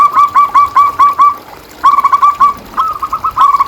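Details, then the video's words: Loud, close zebra dove song meant to stimulate and lure other doves: rapid chains of bright, clipped cooing notes, each run of five or six repeated almost without a break. "Suara Perkutut Pikat"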